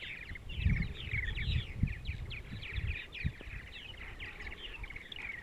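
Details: Purple martins on a sunny Sunday morning in central Ohio give a busy string of short, downslurred chirps and gurgles, partly under bursts of low wind-like rumble.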